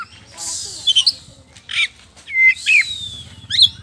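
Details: Oriental magpie-robin of the poci form in full, loud song used as a lure so other birds answer: high, hissy phrases with sharp chirps and a quick whistled slur, split by short pauses, over a faint low hum.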